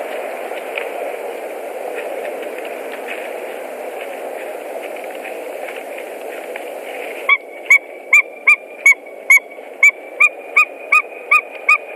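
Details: White-tailed eagles at a nest in Latvia on 17 March 2018, around a mating attempt: steady wind-like rushing, then a sudden series of about twelve sharp, clipped yelping notes, evenly repeated roughly every 0.4 seconds.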